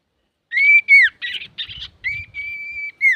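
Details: Male common iora in full, varied song, used as a tutor recording to provoke other birds: long steady whistled notes that drop at the end, alternating with short buzzy, harsh bursts.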